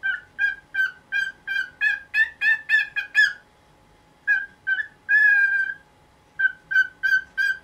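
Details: Pet cockatiel in its nineteenth year, indoors in the morning, calling noisily to have the cloth over its cage removed: a steady run of short, ringing, harmonic calls, a brief pause, then a longer drawn call and more short notes.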